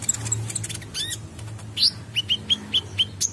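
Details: Olive-backed sunbird calling: thin high notes give way to a rising sweep, then a steady series of six short bright chirps spaced about a quarter second apart.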